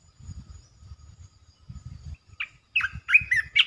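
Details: Resident red-eyed bulbul calling from its territory: a few short bright notes, then a rapid run of warbled, slurred phrases near the end over low background thumps.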